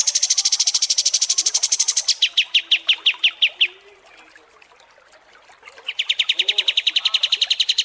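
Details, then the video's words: {'caption': 'White-shouldered triller singing for a songbird contest training track: a high rapid trill dropping into slower, lower pulsed notes, a short pause, then another fast even trill resumes.'} "MASTERAN KAPAS TEMBAK DURASI PANJANG"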